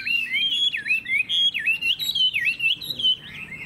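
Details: A captive Chinese hwamei sings a loud, continuous run of rich, looping whistles that swoop up and down in quick, varied phrases with no pauses.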